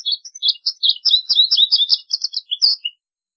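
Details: American goldfinch song of quick, bright chirped notes strung closely together, high and slightly buzzy, ending with a couple of separate softer notes.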